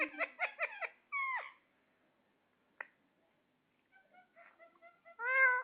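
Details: Ring-necked parakeet talking with quick choppy voiced syllables, then a swooping downward phrase, a click, a run of soft short notes, and a final louder, rising, drawn-out phrase.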